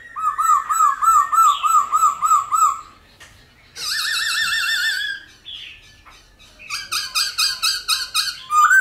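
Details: Many-voiced 'giọng già rừng' song of a Black-throated laughingthrush, meant to excite and train wild-caught birds: a fast run of wavering whistles, a sustained trilling whistle with vibrato, then a loud burst of repeated ringing notes.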